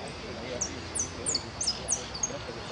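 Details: Goldfinch at a singing competition for the Irupé Federation cup, 22 February 2015: a series of very high, sharp, downward-slurred notes, spaced about every third of a second, over a constant noisy background.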